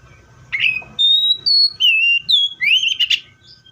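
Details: ['Seychelles magpie-robin giving a rich whistled phrase: a buzzy opening note, then flat high whistles, lower slurred notes and a final rising, warbled flourish, with a faint low hum in the background.']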